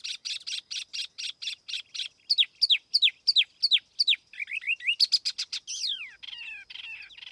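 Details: Clean tiểu mi laughingthrush lure song: steady rapid chips, then a series of downslurred whistles, a quick rising trill, and a closing jumble of sweeping and buzzy notes.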